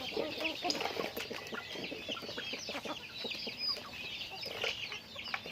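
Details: Chickens in their daily routine, with a cluster of mid-pitched clucks near the start and scattered clucks later, all set against continuous high twittering chirps and soft clicking noises.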